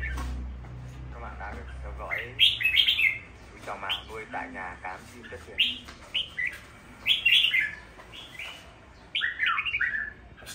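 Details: A caged red-whiskered bulbul sings short, bright whistled phrases that bounce up and down, repeated every second or so, over a low hum, rustling and faint voices.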